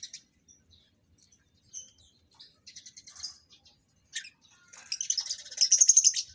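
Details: Lovebirds kept for breeding and being paired for mating, giving sharp high chirps that start sparse and build into a dense run of rapid, harsh twittering notes near the end.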